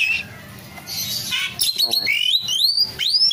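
Asian pied starling singing a fast medley of harsh, squawky notes and clear rising whistles, several in quick succession.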